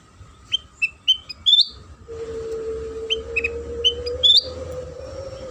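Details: Sooty-headed bulbul lure song for stirring other bulbuls to sing: two phrases of clear whistled notes with upslurred endings, while a steady low drone like an engine starts partway through.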